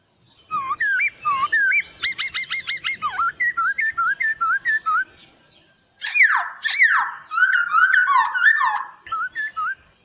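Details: Poksay Hongkong (black-throated laughingthrush), a gacor master song for training birds: rising and falling whistled notes repeated about twice a second, then loud, harsh, varied chattering phrases mixed with whistles.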